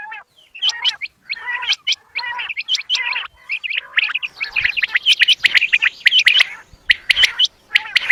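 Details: Quail, recorded at evening time, giving sharp, high chirping notes in quick, uneven bursts, several overlapping at times, about one a second.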